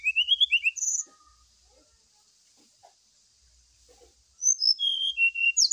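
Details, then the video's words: Brown-chested jungle flycatcher lure song, played while birds are set out in the morning dew to prompt singing: quick bursts of high, sweet rising whistles, a pause of about three seconds, then another bright run of clear notes over a steady high insect hiss. "PANCINGAN SRDC WAKTU DI EMBUNKAN"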